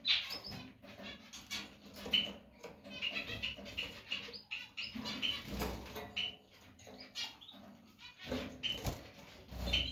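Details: Caged female canary repeating a thin, high call note every couple of seconds over a background of rustling, scratching and fluttering movement.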